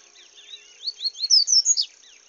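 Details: A paca capim singing in the bush gives a short, accelerating series of thin rising whistles that grows louder and higher, finishing with a few sharp, bright chirped notes over a faint steady hiss.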